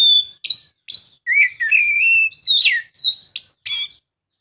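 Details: Oriental magpie-robin song played to coax a reluctant bird into singing: scratchy chirps, then a long sustained whistle that wavers and rises, followed by rapid bright notes and a buzzy ending.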